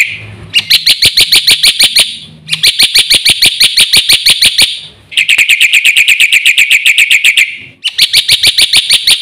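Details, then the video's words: Black-winged myna in vigorous song full of fill-in phrases. Several long runs of rapid, harsh, high repeated notes, each lasting a few seconds and separated by brief quiet gaps. "BURUNG JALAK PUTIH GACOR FULL ISIAN JUARA"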